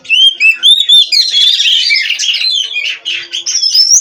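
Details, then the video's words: Captive Oriental magpie-robin (kacer) from an Indonesian breeder, singing continuously in a varied, rich stream of whistled slurs and rapid chattering trills, phrases rising and falling without pause. "GACOR NONSTOP!! Rahasia Kacer Bikin Semua Kaget!"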